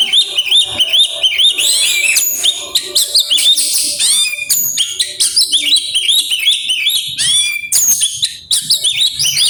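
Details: Singing oriental magpie-robin delivering its mimicked phrases, a continuous stream of piercing whistles, rising slurs and rapid chirp series over nearly ten seconds.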